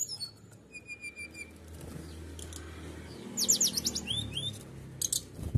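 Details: Canary in 'nembak' song, used to agitate rivals into singing: thin steady whistles at the start, then a loud burst of fast rising and falling chirps near the end, with low background rumble and rustling.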